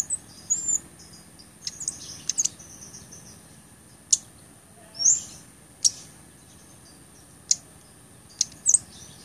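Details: Very high, sharp ticks and short thin whistles from a blood-breasted flowerpecker, the song used to train other songbirds and to lure birds, spaced unevenly over about nine seconds against a steady high-pitched hum.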